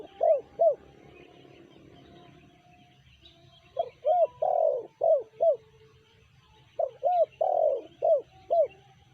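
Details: Tekukur, the spotted dove, singing in the 'sanji' style: three phrases of short, hollow, arched coos, each phrase holding one drawn-out, louder note among quicker ones, separated by quiet gaps, with soft background hum.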